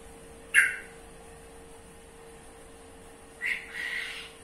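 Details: Yellow-vented bulbul with one sharp, harsh squawk, then after a three-second gap a rougher, noisier burst of chatter, all above a constant low hum.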